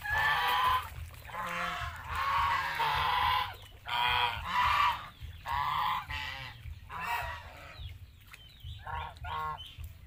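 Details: Geese on a farm in Asia giving harsh, nasal honks in irregular bursts, roughly one to two seconds each with short gaps, some loud and some softer, over a steady low background hum.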